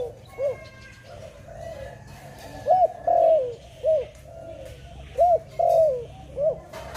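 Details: Dove calling at a bird trap: a repeating phrase of a short arched coo followed by a longer drawn, wavering coo that drops at the end, cycled three times in seven seconds, with faint high chirps behind.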